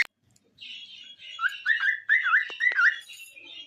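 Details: Cockatiel singing: a run of warbling whistled notes with rising and falling wavy slurs, repeated roughly twice a second, over a soft chattering background.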